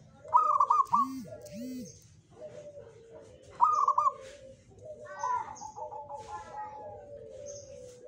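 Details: Zebra dove, local jogoboyo song style: two quavering trilled coo phrases, then a run of fast stuttering pulsed notes sliding lower, with a low rising-falling hum early on.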